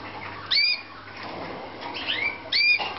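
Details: Caged Slavujar canaries at a Romanian breeding room in 2014 give sharp rising chirps, one early and a pair near the end, with a soft warbling phrase between and a faint background hum.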